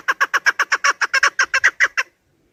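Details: Rapid series of about thirteen harsh, evenly repeated clucks from a chukar partridge, delivered in two seconds before stopping abruptly; recording intended for partridge hunting.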